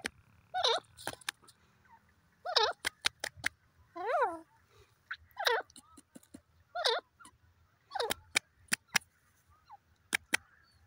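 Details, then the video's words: Grey francolin (teetar) calls: repeated grating, chevron-shaped notes at irregular intervals, with frequent sharp clicks and knocks, a steady low rumble and faint background tones. "peasant teetar bird top sound titur awaz"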